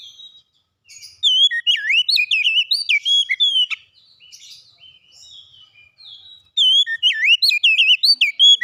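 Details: Oriental magpie-robin song: two bursts of loud, sweet whistled phrases with fast slurred up-and-down notes and sharp chips, about 150 notes a minute, separated by a quiet pause of faint softer notes.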